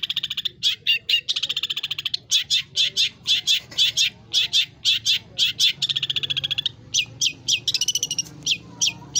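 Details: Long-tailed shrike delivering a song rich in imitated phrases, high and low; grating rattles alternate with clipped high notes in quick succession, then twittering fragments near the end.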